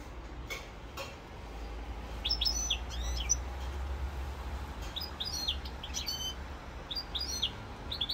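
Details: Singing European goldfinch, rosse corse type, recorded 7 November 2022: short bursts of high twittering chirps roughly every second or two, separated by pauses, over a low humming background.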